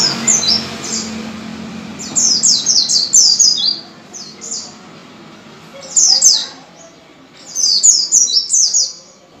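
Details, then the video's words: White-eye song of the wild-caught ngalas type, played as a lure so caged white-eyes open their beaks and sing: bursts of rapid, very high chirping notes in three phrases separated by short pauses. "PANCINGAN PLECI ngalas full power dengan cepat membuat pleci buka paruh"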